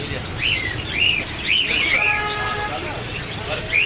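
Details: Parrot repeating short, arched squawks about every half second in the first two seconds, then once more at the end, with a held tone and background hum between.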